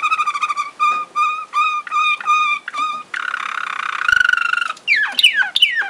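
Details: Malinois Waterslager canary song, Sakarya, 2011: clear, ringing whistled notes repeated about three times per second, then a buzzy sustained roll and a few sharp downward-swooping liquid notes.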